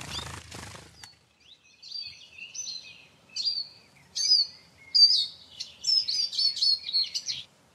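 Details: Eurasian siskin (Carduelis spinus) twittering in a high register, strings of quick chirps and wheezy whistled notes building in loudness, after a brief burst of rough noise at the start.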